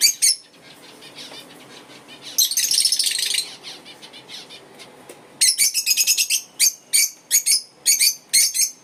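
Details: African lovebirds chirping: clusters of sharp, high, buzzy chirps in rapid bursts, a dense burst early on, then a quieter gap, then a fast run of chirps repeated several times a second.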